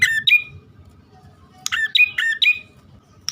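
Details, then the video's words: Male and female bar-winged prinia (prenjak) calling, used as a lure: harsh sharp chirps with a clicky onset, given singly then in a quick cluster of three. "suara pikat prenjak poci/hutan jantan dan betina memanggil jitu"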